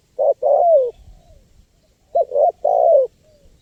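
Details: Spotted dove recording used to lure wild birds: two cooing phrases, each a short clipped note then a longer, throaty coo that slides downward, separated by a second of quiet.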